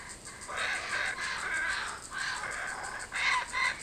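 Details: Kookaburras that have come back, giving harsh, chuckling notes in rough pulses that rise and fall over a steady hiss of background noise.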